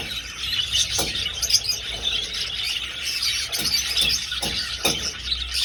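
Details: Many budgerigars flying through an old aviary give a steady wash of high, squeaky chirping and warbles, with occasional sharp knocks and taps.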